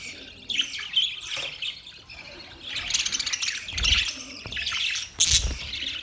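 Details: Budgerigar chirping, mixed squawky chatter and scratchy warbles in uneven bursts, with soft low thumps under two of the louder passages.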